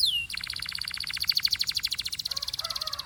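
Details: Pure Belgian canary singing, other birds joining in: a short falling whistle leads into a dense, rolling pulsed trill lasting nearly three seconds, with a soft low warble underneath toward the end.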